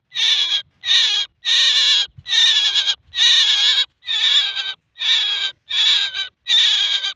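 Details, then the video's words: A male common myna gives nine harsh, raspy squawks, each about half a second long, repeated steadily with brief gaps; nothing else is heard. "Mynah voice male l Maynah ki awaz"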